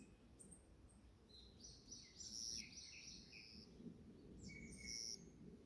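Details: Forest birds on a morning: a cluster of bright, high chirps and short whistled notes, some sliding downward, comes in irregular bursts over quiet background noise with a low rumble.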